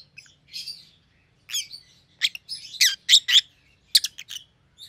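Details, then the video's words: Two pet rosy-faced lovebirds, an opaline pallid and a green opaline, both white-headed, give sharp high chirps and short squawks in irregular bursts, several notes clustered near the three-second mark, over a faint low hum. "Rosy-Faced Lovebirds - Chirping and Call Sounds"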